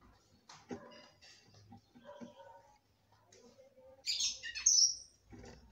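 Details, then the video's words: Female red-cowled cardinal from a breeder, singing to excite the male: a quiet stretch of faint scattered notes, then a loud burst of high, scratchy, buzzy notes with a bright whistled squeal near the end. "FÊMEA DE GALO DE CAMPINA CANTANDO MUITO PRA FOGUEAR SEU CAMPINA."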